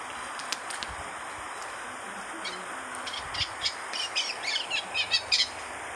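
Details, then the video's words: An eastern olivaceous warbler, recorded in Egypt in 2012, gives quick, scratchy high notes building into a rapid chattering burst near the end, over a steady background hiss. "Felosa-pálida (Iduna pallida)"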